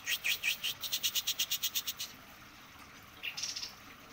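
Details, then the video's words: White-eye in full song: about two seconds of rapid, evenly spaced buzzy chirps, then a pause and a short high buzzy trill. "kapas tembak gacor"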